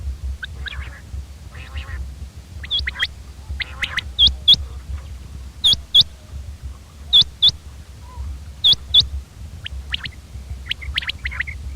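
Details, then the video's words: Common quail calling: sharp, high, hooked notes in close pairs, repeated about every one and a half seconds, with fainter chirps from other birds and a low background rumble. "common quail bird sound"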